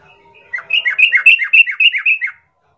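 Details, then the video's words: Yellow-vented bulbul, a chatty 'gacor plong' lure song used to provoke rivals into answering and fighting; a quick bubbly run of about ten descending chirped notes, then silence. "Pasti Nyaut ikut Tarung trucukan bermantal Berani mendengar pancingan trucukan gacor plong ini"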